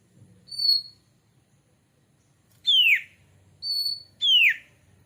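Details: Lure song of white-rumped shama to encourage singing: a level high whistle, a pause, then a loud downslurred whistle, followed by another level whistle and downslur.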